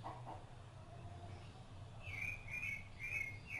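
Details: Rufous-bellied thrush feeding its young: after a quiet start, four bright slurred notes follow one another quickly in the last second and a half over a low background hum.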